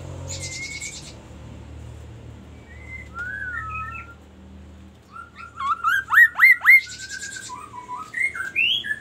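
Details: Magpie-robin singing over a low background hum: scattered thin whistles and a buzzy burst, then a quick run of rising upslurred notes and more varied whistled phrases near the end.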